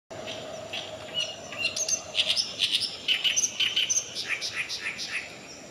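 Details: Oriental reed warbler singing at Kanai flood-retention wetland, Japan, on 6 June 2020: loud, harsh, chattering phrases of grating and squeaky notes, about two per second, over a faint low hum.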